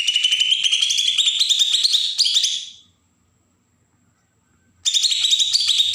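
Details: Provoking besetan song of a Bornean green leafbird from Kalimantan's Berau: a long, rising run of fast, harsh, high notes for nearly three seconds, a two-second silence, then the chatter resumes.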